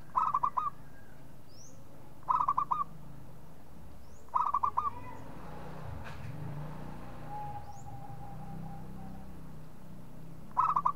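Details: Local zebra dove calling, used as a lure for other doves: short bursts of quick, mid-pitched staccato cooing notes, each phrase under a second, repeated every two seconds or so with quiet gaps and faint background hum.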